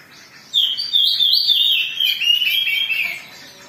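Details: Excited Oriental magpie-robin, recorded as a provoking lure for singing, delivers a dense burst of high chirps, whistles and twittering notes lasting about two and a half seconds, then drops off into near silence.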